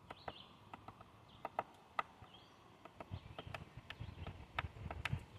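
Sharp, irregular wooden taps from a woodpecker, two or three a second, with a low background rumble and faint thin bird notes.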